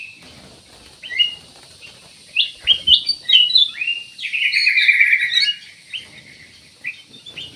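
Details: Ruby-throated bulbul delivering a busy series of bright chirps that builds into a fuller, buzzy warbling passage, then tapers off into a few scattered notes.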